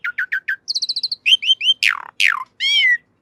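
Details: Asian pied starling (jalak suren) master song for training caged birds. Quick repeated chirps and a high trill run into swooping whistles, two harsh descending screeches and a long wavering note.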